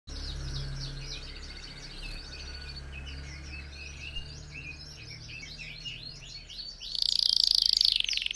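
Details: Red factor canary singing, offered as a model for other birds learning to sing: a fairly quiet run of high chirps and twittered phrases, ending in a louder sustained whistled trill, with a low background hum throughout.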